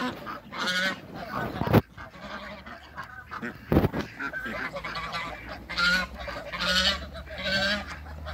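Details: Toulouse geese, two males and one female, in a backyard honking with harsh nasal repeated calls, overlapping in bursts, with loud knocks and some clatter between calls.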